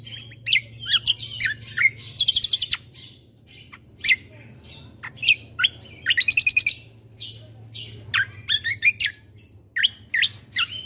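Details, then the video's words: Busy combo birdsong played to provoke other birds: dense bursts of chirps, fast trills and sharp downward notes. The phrases repeat in clusters over a low background hum. "Suara Keciasl Kombo Isian Mewah Sekali Putar Bikin Emosi Burung Yang Dengar Auto Ribut"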